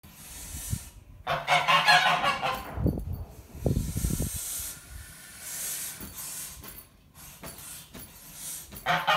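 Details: Two domestic geese in a barn protesting a new ferret playpen, lunging to bite through the mesh; a harsh, rasping burst of honks early on, then scattered lower grunts and knocks amid barn clatter.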